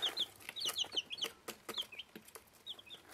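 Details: Bantam Plymouth Rock and Rhode Island Red chicks, one week old, eating: quick, high, slightly downslurred cheeps, roughly two per second, mixed with loud clicking pecks on food.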